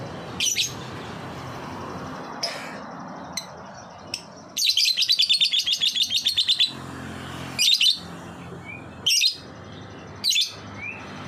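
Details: Lovebird ngetik song played as a lure for other lovebirds: scattered sharp chirps, then a two-second run of rapid, evenly ticking high notes like fast typing, followed by more loud isolated chatter bursts.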